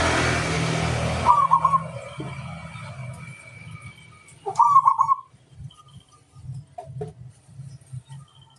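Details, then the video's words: Local-type zebra dove calling a rival: a loud hiss cuts off, then two separate trilled, bubbling coo phrases several seconds apart, with soft low knocks and a faint steady tone in the background. "suara burung perkutut lokal memanggil lawan"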